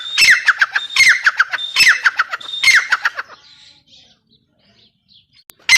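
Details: Grey francolin, a female teetar, gives four rhythmic squawking phrases, each a brief high whistle followed by a quick cascade of falling harsh notes, then the calling stops and near-silence follows, ending in a sharp click.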